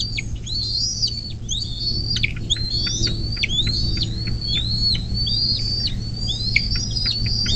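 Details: Bald eagle calls from a nest cam by the Little Miami River near South Lebanon, southwest Ohio, USA, 24 May 2024, 10:12: a steady series of thin, high, sliding chirps and whistles over a constant low hum.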